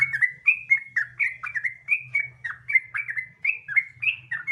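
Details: Sooty-headed bulbul giving relaxed continuous song as a lure to make other bulbuls sing: bright, warbling whistled phrases about four a second, slurred up and down, with a low hum in the background.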